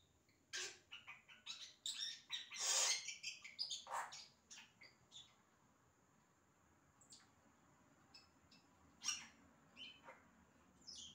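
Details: Imitative song of a yellow-rumped cacique: a busy run of clicks, rasping bursts and short high whistled notes in the first half, thinning into sparser sharp notes and squeaks later.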